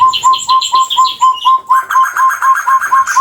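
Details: Chestnut-bellied partridge, an Indonesian endemic of West and East Java, giving its long call: evenly spaced, clear rising whistles, roughly two per second, overlaid by high chattering from other birds.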